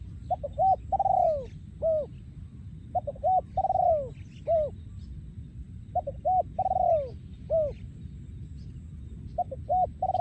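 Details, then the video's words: Breeding male spotted dove singing yon khu ang style song, with regular phrases of two or three short coos and a long falling coo, repeated about every three seconds over low, steady background noise. "พ่อพันธุ์ 2023 โยนคูอ่าง"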